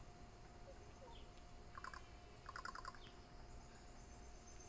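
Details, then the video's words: Bird heard on July 14, 2019, making a weird noise: two bursts of rapid, buzzy, stuttering pulsed notes, a short burst then a longer series, with faint high chirps elsewhere and a steady background hum. "Weird bird makes weird noise"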